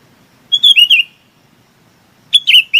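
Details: Chinese babax calling the flock: a burst of four loud, clipped, descending slurred notes, a pause of over a second, then another similar burst begins.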